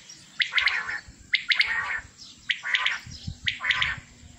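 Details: Male batair, or common quail, one of 27 birds kept together, utters rhythmic clusters of sharp two- and three-note calls, spaced about a second apart, over a faint low drone.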